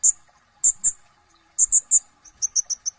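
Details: Brown-throated sunbird (kolibri ninja) chattering: loud piercing high chips in pairs and triplets, then a quicker run of six slightly lower clipped notes, with a faint background hum.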